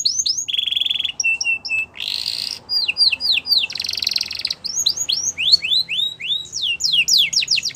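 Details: Canary singing for training, varied and rapid: falling whistles, a steady flat whistled tone, short clipped notes, buzzy bursts, and long runs of sharply slurred whistles repeated several times a second.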